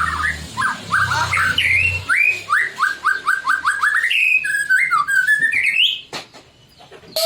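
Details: White-rumped shama song aimed at making other shamas answer: a run of short repeated whistled notes in a steady series, then rising and falling slurs, over a faint low hum.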